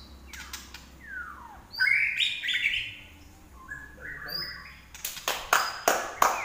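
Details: Common iora giving bright sliding whistles and a descending sweep, followed by a series of sharp broadband clicks or taps at the end.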